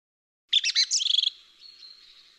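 A song thrush gives one bright, high phrase: three quick repeated notes, then a fast run of short notes, trailing off into soft twitters.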